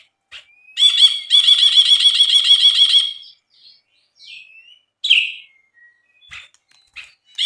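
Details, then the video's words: Brinji bulbul song: one strong burst of fast, evenly repeated buzzy notes lasting about two seconds, then scattered thin whistles and a slurred, downward squeaky note. "MASTERAN BRINJI GACOR"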